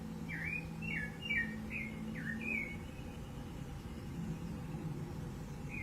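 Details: Wild rufous-bellied thrush recorded free in nature on 15 November 2020, singing short whistled phrases that slur up and down, about six in quick succession, then a pause before another; steady low rumble underneath.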